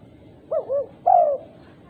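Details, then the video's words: Female spotted dove calling other doves: two quick arched coos followed by a longer, louder slurred coo that slowly falls away, with soft background rumble. "Tekukur betina gacor memanggil tekukur lain"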